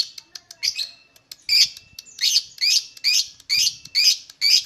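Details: Singing lovebird, played to get lovebirds singing: a string of loud, grating chirps repeated roughly every half second, each bending upward, after a few scattered quieter ticks.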